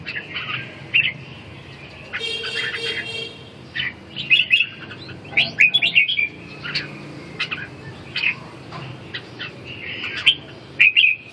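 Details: Caged red-whiskered bulbul in a fourth-round singing competition at Ha Dong, Vietnam: a long run of sweet warbled phrases and sharp chirps, with a brief buzzy, rattling noise early on and background bird chatter throughout.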